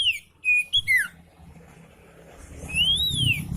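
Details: Oriental magpie-robin singing calmly as a tutor for magpie-robins reluctant to sing: a few sharp, downslurred whistles, a quiet gap with faint background hum, then one long arched whistle rising and falling.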